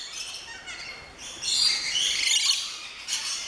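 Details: Flock of rainbow lorikeets, small parrots in an aviary at an orchid farm in Luttelgeest, Netherlands: continuous high, grating chatter swelling into louder overlapping screeches.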